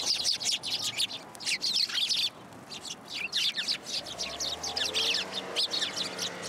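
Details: Several sparrows flocking for food at a Tenmangu shrine in late December 2022, chirping busily: continuous overlapping high chirps and twitters in fast succession, with faint low rumble behind.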